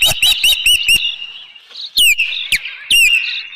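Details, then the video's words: Osprey at its nest on 25 May 2018, reacting to an intruder: sharp, clear whistled notes sliding downward, given in quick bursts and then a sustained level whistle, punctuated by loud knocking thumps near the microphone. "Osprey Nest Video_2018-05-25_114923-intruder"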